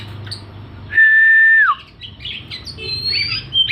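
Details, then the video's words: Oriental magpie-robin with its tail spread: a long clear steady whistle dropping at the end, followed by softer scratchy twitters and a higher thin whistle, over faint background hum. "Burung Kacer gacor buka ekor ngotot"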